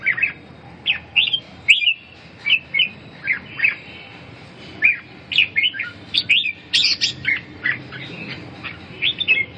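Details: Red-whiskered bulbul singing lively, chirpy phrases of short, bright whistled notes that rise and fall quickly, packed close together, over a low background hum.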